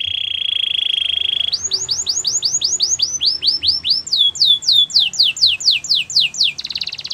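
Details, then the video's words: Belgian canary training song: a steady rolled trill gives way to a long series of clear downslurred whistles, about four per second, rising and falling in pitch, ending in a buzzy roll. "Canary singing for training | Belgian canary song"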